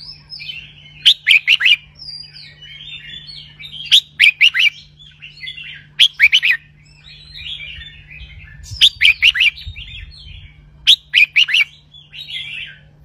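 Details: Red-whiskered bulbul kept in a cage, performing its double-hundred style song: clusters of three or four loud whistled chirps repeated roughly every two to three seconds, linked by softer twittering, with a constant low electrical hum.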